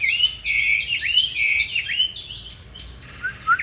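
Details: Chinese hwamei of the green-bean-eye type in competition song, used to train other hwamei toward a smooth, soft song: bright, warbled whistles rising and falling, fading briefly before two short, sharp notes near the end.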